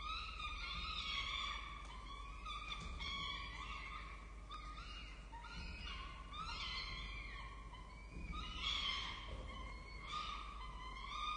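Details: Several young peregrine falcons being fed at their nest on a campus in Orange, Australia, give insistent, harsh, wavering wails that overlap and rise and fall, forming a continuous chorus throughout.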